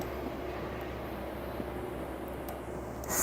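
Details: A steady broadband hiss and low hum, like a distant engine or vehicle, runs throughout with a brief louder rustle at the end. No animal calls are heard.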